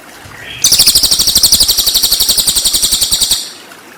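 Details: Cililin training song for white-rumped shama: a soft thin whistle leads into a loud, rapid, high trill of repeated sharp notes lasting close to three seconds.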